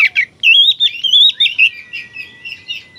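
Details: Energetic oriental magpie-robin song, played to make other magpie-robins agitated and spread their tails; a quick chattering start, then a long warbled whistled phrase that trails into softer repeated notes.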